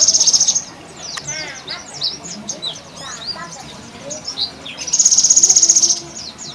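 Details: A Java sparrow in the afternoon gives its odd trrrr call, a high, dry buzzing trill at the start and again near the end, with quick twittering chips and short sweeps in between.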